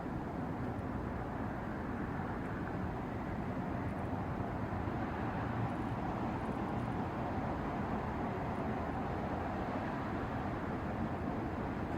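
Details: Steady roaring broadband rumble like distant traffic or engine noise, with no animal voices.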